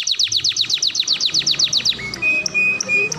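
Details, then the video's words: Canary masteran song for training young canaries: a rapid run of about thirteen descending notes, then short level whistled notes. "Masteran kenari paling di cari di 2023 cengkok dan iramanya sangat syahdu"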